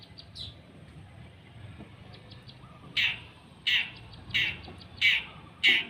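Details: Long-tailed shrike being sunned, giving five loud, harsh, rasping notes spaced about 0.7 seconds apart, each a sharp broadband burst, following a stretch of faint, thin chirping over low background rumble.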